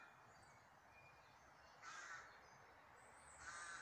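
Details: Bird outdoors giving two faint, harsh, broad cawing calls about a second and a half apart against a quiet background hiss.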